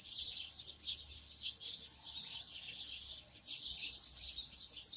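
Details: Flock of house sparrows giving a steady, overlapping stream of bright, rapid chirps with no pause across the whole stretch.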